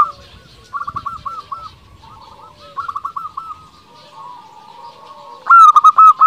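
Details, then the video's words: Local zebra dove song used as a lure to stir rival doves into replying. Soft, rapid cooing phrases from quieter doves fill most of the stretch. Near the end, a loud, clear series of ringing coos breaks in. "Perkutut lokal gacor paling ampuh untuk pancingan belum satu menit bikin lawan sudah pada nyaut"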